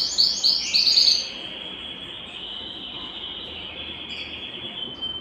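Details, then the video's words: Belgian canary song meant to excite males and bring hens into breeding condition: a quick burst of high rapid notes, then a long sustained whistled tone held steady to the end. "Canto Para Esquentar Canário Belga e Foguear as Fêmeas"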